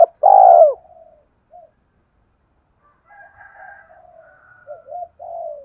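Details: Spotted dove cooing played to make decoy birds call: a loud, drawn-out falling coo at the start, then a pause and a string of softer, wavering coos from further away.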